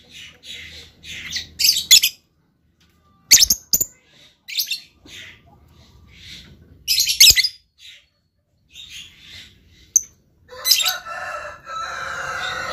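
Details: Lovebird in a luxurious song style, with bursts of shrill chattering and sharp clicks separated by short pauses, ending in a long, noisy, rasping stretch.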